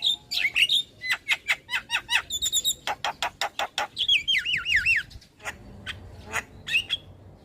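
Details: Javan myna masteran tutor song for training starlings: a lively medley of sharp clicks, rapid ticking bursts, whistled notes and a wavering, trilled whistle, all crowded into quick succession.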